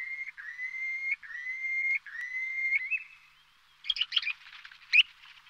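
Purple sandpiper giving four drawn-out, slightly rising whistles, each under a second, followed by a burst of quick, scratchy chirps.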